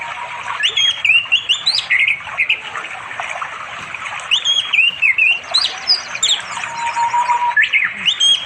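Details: Male orange-headed thrush calling a female to mate on an afternoon in remote East Java forest by a flowing river, phone recording; sweet whistled phrases with sharp up-and-down slurs in two bursts, a lower held note, constant insect drone behind.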